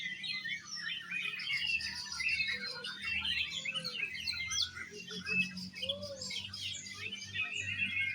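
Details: Songbird competition Oriental magpie-robins sing exotic style: continuous rich warbling with high whistles and chatter, several arched lower whistled notes, and a low rumbling background throughout.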